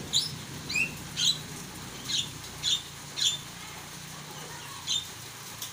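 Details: Starling singing in bursts of sharp, high squeaky notes and short whistles, about eight phrases spaced unevenly over six seconds, with faint low background hum.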